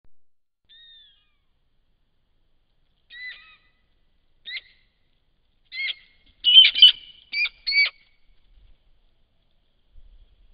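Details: Bush stone-curlew (Burhinus grallarius) pair at night in Miepoll, Victoria, Australia, giving a brief threat display as a fox runs between them: thin whistles building into loud, harsh rasping notes, about five calls over ten seconds.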